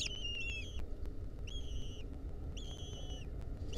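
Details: Lesser kestrel chicks in the wild, a centipede crawling on them, 2023: three separate long, level whistled notes, each about half a second, spaced roughly a second apart, over a low steady hum.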